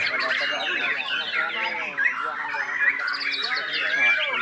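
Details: Murai batu, or white-rumped shama, kept as a hobby songbird, in a continuous jumble of chirps, rapid slurred trills and sharp whistled notes, with lower warbling tones underneath.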